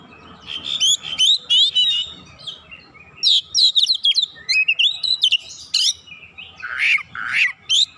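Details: Oriental magpie-robin in full song: a rapid varied stream of sharp whistles, trills and rising and falling notes with short mimicked-sounding bursts, over a faint low hum.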